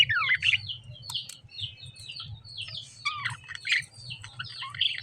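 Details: Lovebirds chirping: a busy overlapping stream of short, high, sweeping chirps and twitters from several birds, with a steady low hum underneath.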